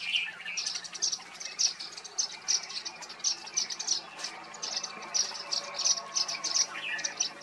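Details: Indian silverbills at Daroji Nature Camp near Hampi, Karnataka, India, in November 2023 give rapid, high, thin chirps in a near-continuous chatter, with several birds calling over one another.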